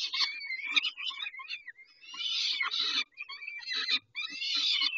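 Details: At a peregrine falcon feeding, late morning on 19 May 2021, grating screams rise and fall in pitch, running in strident bouts with a few short pauses and some faint scuffling.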